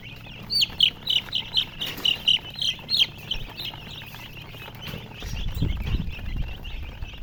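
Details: A chick gives about ten clear, loud, high peeps in a regular series over three seconds, then softer chirping continues as low rumbling handling noise rises.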